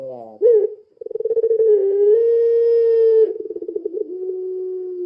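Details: A puter pelung dove gives a lure call: a short note, a quick rolling trill, then a long steady coo that breaks into pulses and ends on a lower held tone.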